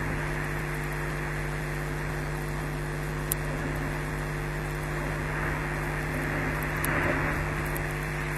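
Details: Steady electrical hum with layered tones under a wash of hiss, plus a few faint clicks; no bird calls.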